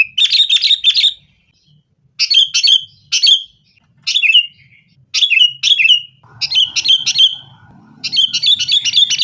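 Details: Fighting-style sooty-headed bulbul lure song; bursts of quick, bubbly whistled phrases separated by short gaps, building to a fast rolling run at the end, with faint low background noise.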